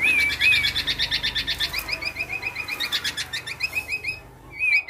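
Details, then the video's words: Male black-naped oriole imitating other birds' calls, opening with two slurred whistles, then a steady train of rapid sharp chirps about four per second, ending with another wavering whistle. "Gocor Aneh Kepodang Emas,Bisa Menirukan Suara Burung Lain."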